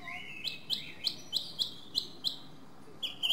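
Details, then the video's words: Song thrush singing: a phrase of seven clear, sharp notes repeated about every third of a second, each a quick upward-sweeping whistle, followed by a higher shrill burst at the end. "Drozd zpěvný - The song thrush: Zpěv/Singing"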